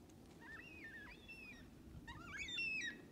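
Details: Black cockatoos feeding in small groups on parrot bush seeds at Lake Clifton, WA, 25/4/22. Softer wavering calls build into a loud, drawn-out descending wail at the end.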